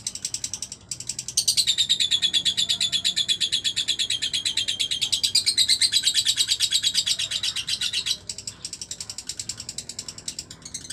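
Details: Lovebird delivering a long single gestang chatter: a dense, high, rattling trill of fast regular pulses lasting several seconds, with brief pauses at the start and end.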